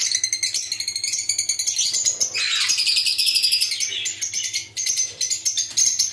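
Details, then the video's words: Chattering lovebird colony with albino, pastel ino and yellow-chested birds: dense, rapid, high-pitched twittering and rattling screeches that overlap almost without pause. "Love Birds Sound"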